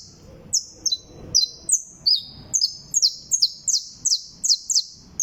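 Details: Canario da terra, the saffron finch, singing its trill: bright, high downslurred notes repeated about three times per second in an even, insistent chain, some paired, with soft low noise underneath.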